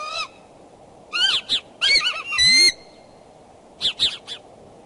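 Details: Bald eagles at the Decorah nest on 2 February 2012 at 9:30 am, courting, calling from the branches. Short high squealing notes and brief chattering bursts come in scattered groups, with gaps of quiet between them.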